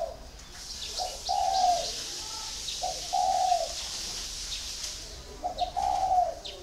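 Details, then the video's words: A spotted dove kept in a cage for four years utters soft, hollow coos, three long phrases spaced about two seconds apart, over a steady hiss and faint high chirping from other birds. "còi 4 năm lồng"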